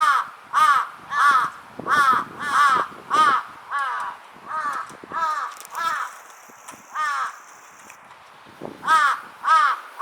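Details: Two Large-billed crows in a threat display; harsh, nasal caws come about two a second in steady runs, with a short pause before a final burst, over faint background hiss.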